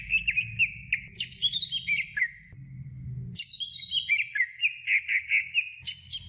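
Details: Greater green leafbird singing on a tutoring recording for other birds: clear whistled notes, then a tumbling phrase of sliding high whistles, a pause, another cascading run, and quick repeated chirps at the end.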